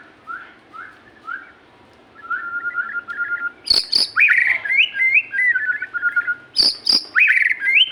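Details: Magpie-robin singing vigorously: short repeated notes build into bright, slurred whistled phrases. Two sharp clicks break in partway through.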